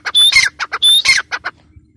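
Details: Teetar, or grey partridge, giving two loud paired phrases of a clear whistle followed by harsh squawks, then a few shorter rasping notes trailing off.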